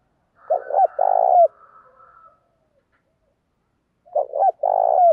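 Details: Decoy spotted dove cooing to lure wild doves, switching phrases continuously: two phrases about four seconds apart, each a couple of short stuttering coos followed by a long, steady, low hooting coo that ends with a drop.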